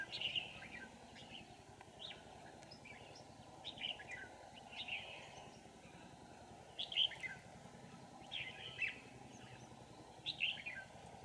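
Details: Red-whiskered bulbul at a trapping site in An Phu: short bright warbled phrases, every one to two seconds, with pauses, over a steady low hum of background noise.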